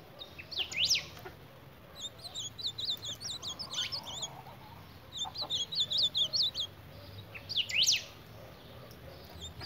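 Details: Ultramarine grosbeak squaring off against a mirror gives bursts of quick, high zigzag chirps in runs of several notes, broken by a few loud steep downward sweeps, with constant low hum beneath.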